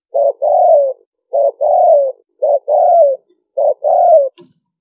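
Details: Liêu ròng cooing of a spotted dove, a style meant to attract wild birds: four steady phrases, a brief coo then a drawn-out falling coo, evenly spaced about one second apart, with a faint click at the end.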